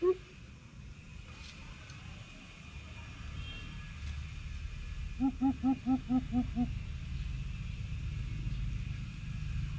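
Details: One isolated deep hoot, then after a pause a tight burst of seven low booming hoops from a greater coucal in a challenge, over steady low rumbling background noise.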